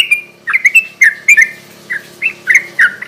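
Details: Sooty-headed bulbul giving its garuda ropel song as a night-time lure to call rivals: loose, bubbly slurred notes, some paired, rising and falling unevenly with short pauses between groups.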